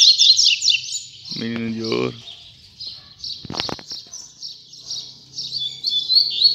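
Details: Coleiro, the double-collared seedeater, singing in the final session of 2019: continuous high twittering trills throughout, with a short stretch of lower harmonic voice-like sound and a clicking burst midway.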